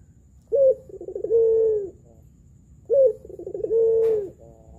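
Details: Spotted dove, a local pelung-type caller used as a lure bird to prompt other doves to call, giving two rolling cooing phrases, each a sharp opening note, a burry trill and a long drawn hoot, about two seconds apart.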